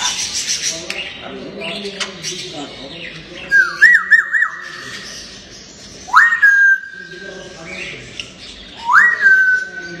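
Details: Playful talking pet grey parrot giving loud whistled notes that sweep up sharply and then hold level, in three bursts a few seconds apart, the first bubbling and wavering, with muffled room noise and chatter between.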